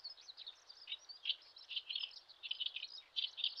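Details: Common sandpiper with chicks on a riverbed in the Shin'etsu region of Japan in late May, the parent watching over the active chicks; dense high, thin chirping notes come in quick overlapping bursts throughout.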